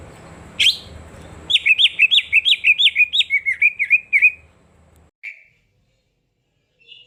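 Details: Cucak ijo (green leafbird) song used to stimulate silent birds into singing: a rapid series of about a dozen looping, warbled high notes, then a falling trill and a brief chip, after a sharp opening note.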